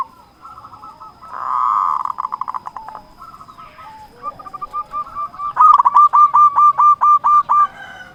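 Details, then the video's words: Local zebra dove (perkutut) song meant to draw rivals: short cooing runs, a loud rushing burst, then a long even series of about ten clipped, repeated coo notes near the end. "Perkutut lokal gacor Ahlinya memanggil lawan bikin burung perkutut gacor nyaut"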